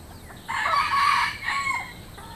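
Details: Rooster in the countryside gives a loud, harsh crow, several rough syllables then a longer sustained tail note, over low steady background noise.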